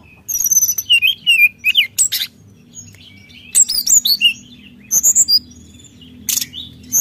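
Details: Brown-chested jungle flycatcher in vigorous song meant to provoke rivals, delivering bursts of high, thin whistles and quick slurred notes separated by short silences, some phrases rising and falling sharply.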